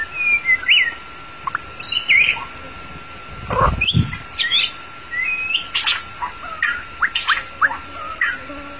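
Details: Song of a long-tailed white-rumped shama played to lure and trap the bird: sharp whistles and chirps in uneven phrases, broken by heavy thumping handling noise, with a steady background hum.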